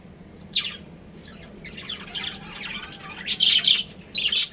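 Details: A breeding pair of pet budgerigars kept as a family: scattered harsh, high chirps and squawks, sparse at first, then louder clustered bursts near the end over a low steady hum.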